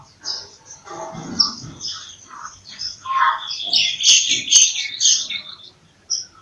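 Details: Bulbul among several songbirds: low burbling notes give way to a dense run of bright chirps and warbles, with a steady high-pitched twittering background throughout.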